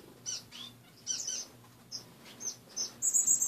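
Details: In an indoor cage in the morning, pet finches give a few separate short, high chirps spaced apart, ending in a quick burst of thin, bright, rapid notes; a low hum sits beneath.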